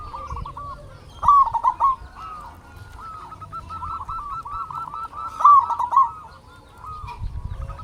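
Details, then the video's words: Zebra dove of a local strain singing to provoke silent doves into answering: two strong bubbling coo phrases about four seconds apart, with a chorus of fainter, rapid cooing from other doves between them. "Perkutut Lokal Gacor RAJA PIKAT Ahlinya Bikin Semua Burung Perkutut Gacor Nyaut"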